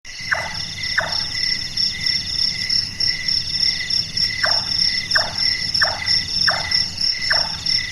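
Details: Large-tailed nightjar, a night-active bird known locally as burung tukang for its carpenter-like calling: a series of hard, knocking chonk notes about every 0.7 seconds, pausing midway, over a steady high-pitched insect chorus.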